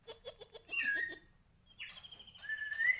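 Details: White-rumped shama singing energetically: a quick series of five or six buzzy pulsed notes, a pause, then a long drawn-out whistle rising gradually toward the end.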